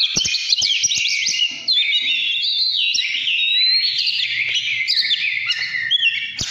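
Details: Oriental magpie-robin, described as 'căn lửa', delivering a fast, fluid medley of high whistled phrases, quick slides up and down and scratchy chatter, almost without pause, with faint clicks in the background.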